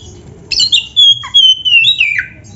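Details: Oriental magpie-robin song phrase from a training recording for kept birds: a few sharp notes leading into one long, clear, slowly falling whistle ending in a brief down-slurred flourish.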